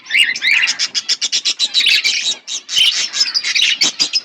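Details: Yellow budgerigars chirp in a rapid, high, scratchy stream of short notes and warbles.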